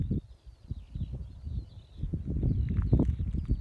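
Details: Eurasian skylark singing in June 2018: a continuous high, rapid warbling stream of twittering trills, partly masked by loud low rumbling wind and handling noise.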